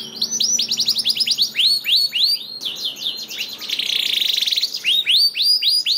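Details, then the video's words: Canary singing, played as a lure to make lazy canaries sing: rapid trills of bright descending chirps, a buzzy high stretch in the middle, then more repeated sweeping notes, loud and continuous. "PANCINGAN KENARI JAMIN AMPUH LANGSUNG BUNYI SEKETIKA DALAM HITUNGAN MENIT #27 || VOICE OF CANARY"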